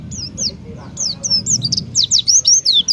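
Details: Oriental white-eye (pleci) in peak form, delivering the 'tembakan' competition song style favoured by contest judges: bright, high, rapidly sweeping whistled notes, descending and looping in a quickening series, over low background rumble.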